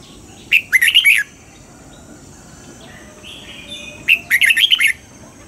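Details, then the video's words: Trained morning song of a red-whiskered bulbul, double-note style: paired phrases of five to six clear whistled notes, repeated after a gap of about three and a half seconds with faint background twitters. "Luyện giọng cho chào mào hót sáng, ép chào mào hót âm kép già rừng hay tuyệt!"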